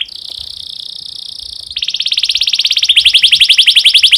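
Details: Domestic canary in breeding condition singing, used to stimulate other canaries to sing: a long buzzy trill that breaks into a fast, rapidly pulsed rattle of high notes growing louder.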